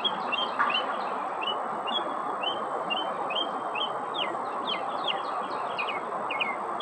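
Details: Northern mockingbird mimicking other birds' sounds: bright short chirps and clipped whistles, each repeated several times before the bird switches to a new rising or falling note, set against a constant rushing background noise.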